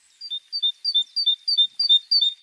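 Great tit singing its 'teacher teacher' song: bright two-note phrases, a high note dropping to a lower one, repeated quickly about three times a second.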